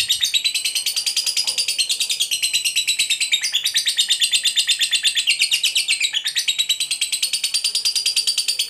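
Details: Long unbroken ngekek panjang from a fighter lovebird, meant to provoke other lovebirds. It keeps up a high, grating, rapidly pulsed chatter for the whole stretch with only brief pitch shifts.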